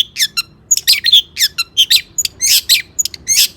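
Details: Long-tailed shrike singing a varied, mimicry-filled song meant to provoke other shrikes: irregular harsh squawks mixed with short whistled chirps, delivered in quick bursts.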